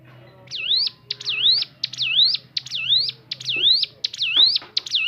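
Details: Varied natural song of a Crescent-chested babbler: seven whistled phrases, each dipping then sweeping upward, repeated at a steady pace of roughly one per 0.7 seconds over a low steady electrical hum and faint background clatter.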